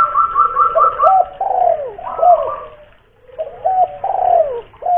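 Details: Local spotted dove, a big-voiced lure bird from Kuningan, West Java, giving rounded, low coos in quick broken phrases, each note dipping at the end, with a short pause midway and a higher steady tone running over the start.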